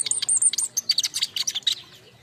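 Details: King konin fledglings sing together as a lure and tutoring song: dense, very high twittering phrases of thin whistles and chirps tumbling over each other for about two seconds, then fading out.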